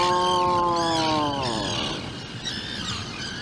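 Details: Atlantic puffin in its Seal Island burrow beside a 2-day-old chick, live burrow camera; one drawn-out, low, harmonic groan that slowly falls away, with thin high chirps and rustling noise afterwards.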